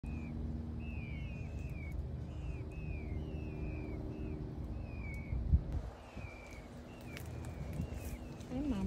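Peafowl chicks give thin, slightly rising peeps about twice a second over a steady low rumble of engine-like noise.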